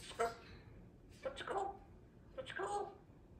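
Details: A baby female African grey parrot practising her words one afternoon chatters in three short, speech-like bursts about a second apart, mixing low voiced tones and hissy consonants, with a chatty yellow-naped Amazon in the background.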